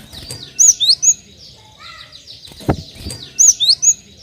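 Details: Cinereous tit used as a song lure for other birds, two phrases of three bright, high whistled notes about three seconds apart, with a sharp knock and soft background chirping between.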